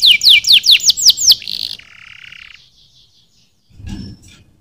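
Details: Canary singing a fast series of sharp downslurred whistles, then a brief buzzy trill and a lower rattling roll, fading to near silence before a short noisy burst.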